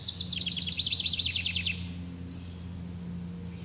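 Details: Small bird giving one fast, high twittering trill of sharp chirps lasting under two seconds, over a steady low hum.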